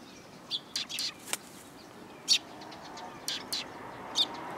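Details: Eurasian tree sparrows coming close to be fed on a Tenmangu shrine approach path in April 2022; scattered sharp chirps mixed with wingbeat flutters and clicks, with a low hum behind.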